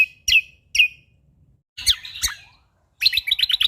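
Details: Sumatran leafbird singing: two clear, sharp chirps, then scratchy buzzy notes and a fast rattling trill of high, bright notes.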